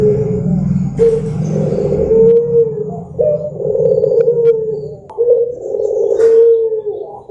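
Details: Barbary dove song meant to lure birds into singing, with mellow, drawn-out low coos repeated every couple of seconds, laid over a steady low rumbling hum and a few short clicks.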